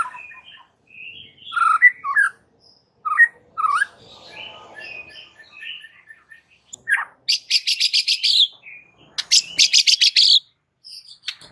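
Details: White-rumped shama singing vigorously to provoke rival males: scattered soft whistled notes give way to loud, harsh, buzzy bursts of rapid high notes in the second half.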